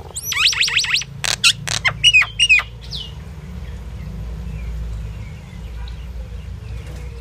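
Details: Indian myna in song: looping, rising-and-falling whistled notes, then sharp clicks and rattling chatter mixed with short slurred whistles, followed by a quiet stretch with faint distant chirps.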